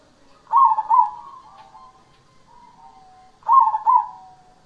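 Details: Cemani perkutut, a zebra dove, singing actively. A bright rolling double coo opens each phrase and is followed by a quieter sustained trilled tail, with phrases repeated roughly three seconds apart.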